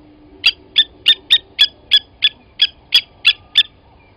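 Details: Blacksmith lapwing giving eleven sharp, metallic 'tink' notes about three per second, like a hammer on an anvil, over a faint low hum, at Gowrie dam, Djuma Game Reserve, Sabi Sand, South Africa, 07:47 on 29 Aug 2020, as an adult grabbed a chick from the nest and killed it.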